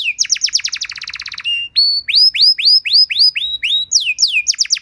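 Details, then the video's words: Canary training song for teaching other canaries: rapid descending whistled sweeps, then a fast buzzy trill, then a run of upslurred whistles around four kilohertz, tightly repeated. "Masteran dan Pancingan Burung Kenari Biar Punya Lagu Mewah!"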